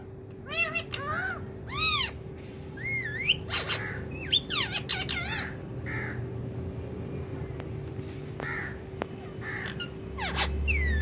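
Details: Talking pet rose-ringed parakeet giving a series of sharp, arching, harmonic squawks and short rising whistles at irregular intervals, some loud and some faint, over a steady indoor hum.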